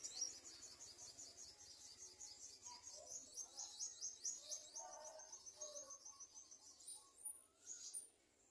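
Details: Garden sunbird chicks at the nest begging as parents feed them: a continuous stream of fast, very high, thin twittering notes, with softer lower chirps mixed in and a few sharp squeaks near the end.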